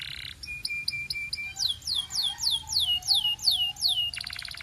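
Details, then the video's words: Singing Belgian canary: a buzzy burst, a string of short steady piping notes, then a slow series of bright downward-swooping whistles about every third of a second, ending in a buzzy roll. "Belgian Canary Singing"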